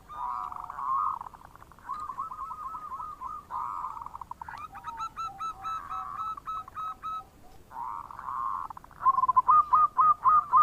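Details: Bekur cooing of a local zebra dove in full voice, used to call in other birds. Bursts of blurred trilling coos alternate with brief gaps, closing with a crisp fast series of clipped notes.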